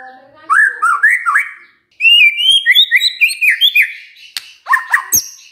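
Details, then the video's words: White-rumped shama song used to prompt other shamas to answer: looping whistled notes, a brief pause, then a fast run of bright, rising whistled notes and a closing burst of sharp chirps. "pancingan murai batu ini bikin GAMPANG NYAUT murai lainnya"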